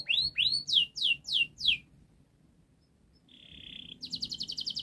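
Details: Local canary singing a fast, tight song meant to coax young canaries into singing: six loud whistled falling notes, a short quiet pause, a flat buzzy note, then a rapid high rattling trill.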